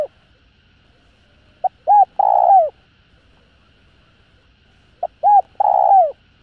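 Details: Spotted dove calling to urge other doves to respond. Two phrases about three seconds apart, each a quick pip and a hooked coo running into a long mellow coo that bends down at the end.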